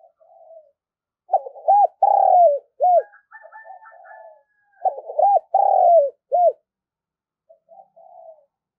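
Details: A spotted dove, used as a calling decoy, gives its low, hoarse cooing phrase twice, each with a throaty rise and soft ending notes.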